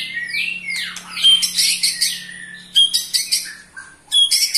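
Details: Ketrekan from an eight-month-old white-rumped shama, meant to stir up other shamas: high descending sweeps open, followed by clusters of sharp, high buzzy chatter separated by brief pauses.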